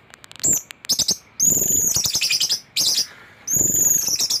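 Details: Thrush singing hard in teler style, packed with mimicked fill-ins, used as tutoring master material to draw out singing; dense bursts of very high whistles and scratchy chatter, broken by short pauses.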